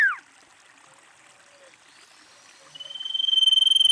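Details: Female common iora calling, used as a lure: a downslurred note ends at the start, then a pause, then a long, high, pulsing whistled trill begins and builds in loudness.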